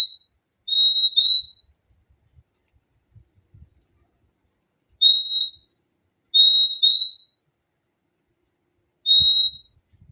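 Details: Fim-fim giving high, pure whistled notes, each about half a second long and level in pitch. They come singly or in close pairs, with a couple of seconds of silence between them.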